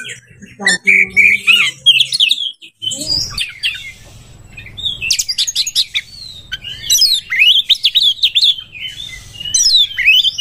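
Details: Oriental magpie-robin in breeding condition, singing to provoke other birds: a rich, varied run of whistled, slurred and chattering phrases, quick rising and falling notes and sharp high flourishes, with a faint low hum behind.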